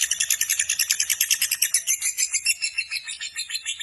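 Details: Fighter-type lovebird giving a long ngekek chatter: a dense, high, rattling trill of rapid notes pulsing about three times a second, sustained unbroken throughout, gradually softening toward the end.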